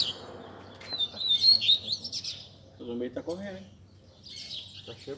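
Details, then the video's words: Several caged Double-collared Seedeaters singing together on a Sunday gathering of bird keepers, played to warm up a competition bird: high, quick twittering phrases with sliding whistles, overlapping, with men talking in the background. "BADERNA de Coleiros TOP - Ótimo para esquentar seu Coleiro de Roda!!!"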